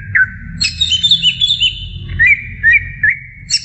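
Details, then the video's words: A cucak ijo (greater green leafbird) singing to a beginner bird: clear whistled notes sliding and looping, a sustained high warbling phrase, then short rising whistles, over a steady low background rumble. "SI CUCAK IJO NGOCEH MEMBANGUNKAN CUCAK IJO PEMULA"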